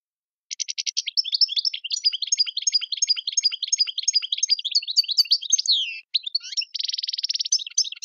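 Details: Wild-type Algerian European goldfinch singing the tiwawati style from Tizi Ouzou and Tadmait: several seconds of continuous rapid high twittering and clicking notes, a short pause, then a dense buzzing trill.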